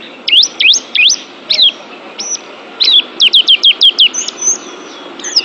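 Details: Oriental white-eye (pleci) from a training recording for caged pet birds, giving spaced, high, squeaky V-shaped whistles, then a quick run of six similar notes and a few long level tones, over soft background hiss.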